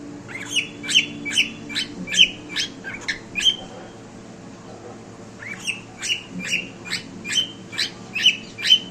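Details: Pet cockatiel singing indoors: bright chirped and whistled notes repeated in quick runs, about two per second, with a pause in the middle of the run and a low steady room hum underneath.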